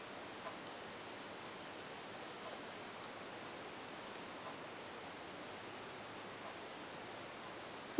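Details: Only a steady soft hiss of indoor room noise, with a single sharp click at the very end.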